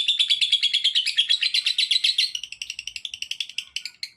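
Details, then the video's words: Rapid, buzzy chatter from a lovebird, calling to set other lovebirds off, with harsh repeated chirps at roughly three per second that grow more clipped and spaced toward the end. "Suaranya Memancing Labet lain Ikut Bunyi"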